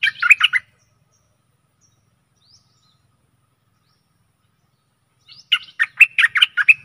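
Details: Stripe-throated bulbul decoy song aimed at aggressive wild birds, 12/12/2021: two short bursts of rapid, liquid chattering notes separated by about five seconds of silence.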